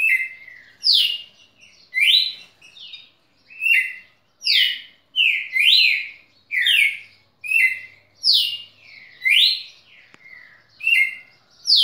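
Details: A red-cowled cardinal (Paroaria dominicana) tutor song, a model song for young birds to learn, recorded 6 December 2017: loud, clear, sliding whistled phrases repeated about every second with short pauses.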